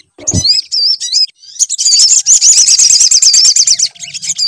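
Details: Sunbird lure recording played to make the bird sing: very high, fast, wavering trills and sweeping whistled notes run almost unbroken. A brief low thump sounds near the start.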